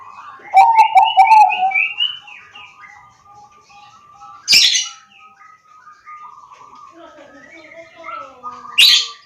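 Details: Bangkok-type zebra dove from Pekalongan, Central Java, recorded to encourage other doves to sing; a fast stuttering trill of coos opens, followed by faint cooing and two loud clacks.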